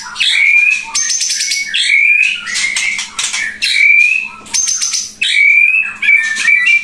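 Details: White-rumped shama of the Pasaman type from Indonesia, a loud singer kept as a vocal tutor for other shamas, delivering rich whistled phrases that rise and fall, broken by harsh buzzy bursts, in continuous strong song.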